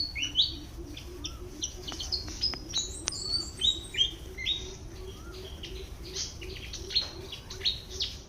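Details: Foraging in a garden, a Malaysian pied fantail gives a busy run of thin, high squeaky chirps and sharp clicks, with a softer lower twittering bird in the background.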